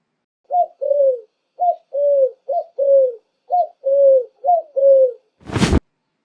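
A dove gives five low, soft coo phrases, each a short note followed by a longer falling one, about one per second. A brief sharp thud ends it.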